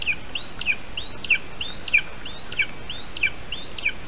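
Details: At a Latvian lesser spotted eagle nest in a spruce, 8:21 AM on 3 August 2019, as adult Andris brings a little bird for the young Grincs: high, thin yelping notes, each rising then dropping, repeated about every two-thirds of a second over faint hiss.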